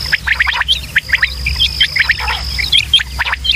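Quail give rapid, sharp chirping calls, several birds overlapping in quick bursts over a steady high whine and a low background hum.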